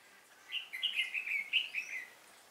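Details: Trapping decoy red-whiskered bulbul sings to fight, 10 December 2016: one continuous lively warbled phrase lasting about one and a half seconds, rapid bubbling notes that waver up and down, with a faint high whistle behind.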